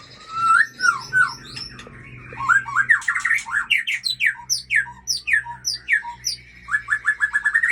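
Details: Female Aceh white-rumped shama kept as a breeding hen, singing a rapid, varied stream of loud whistled and slurred notes with quick chattering runs and rising sweeps, phrases following almost without pause, over a faint low hum.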